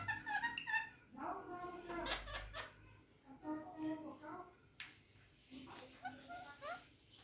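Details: A pair of rose-ringed parakeets being affectionate with each other chatter in quick, warbling, speech-like phrases with a sharp squeak midway, in a small indoor room.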